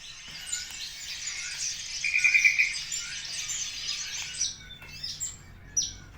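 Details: Javan bushlark singing, recorded 24 September at 10 o'clock; a dense rapid stream of twittering, buzzy high notes with a short run of quick repeated chips near the middle, followed by scattered sharp whistled notes.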